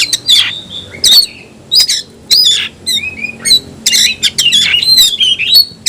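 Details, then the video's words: Caged oriental magpie-robin singing its 'tayoraky' variant. Clear, ringing whistles alternate with harsh rasping bursts, and wavering notes at the close. "kacer rasa tayoraky varian baru‼️bikin suara kicau burung Kacer gacor dan ngotot buka ekor"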